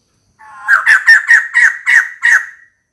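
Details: White-crested laughingthrush, a female calling to attract a mate, gives seven loud, harsh, evenly spaced cackling notes in a tight rhythmic series lasting about two seconds, then falls silent.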